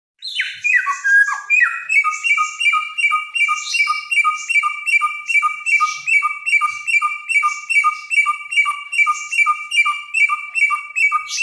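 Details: Helmeted friarbird, a loud-voiced bird of Nusa Tenggara said to imitate many songs, singing vigorously: a two-note phrase, high clear note dropping to a lower whistle, repeated steadily about two or three times a second after a brief opening flourish.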